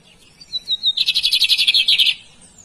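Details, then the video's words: Bigodinho, or Lined Seedeater, gives a few soft wavering whistles that lead into a loud, rapid, buzzy trill of evenly repeated notes for about a second, then stops abruptly. "Bigodinho top cantando!"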